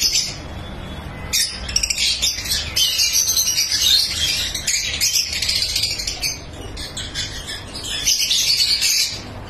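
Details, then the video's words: A lovebird breeding farm, with many birds keeping up a continuous shrill, high chattering and screeching, rapid irregular notes overlapping throughout, briefly dipping in intensity before swelling again. "Love Bird Sounds"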